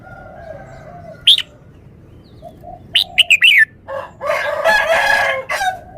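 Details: Red-whiskered bulbul showing its song phrasing: a single sharp high note, then a quick series of bright, falling whistled chirps, followed by a longer, fuller and buzzier warbled passage that builds in loudness.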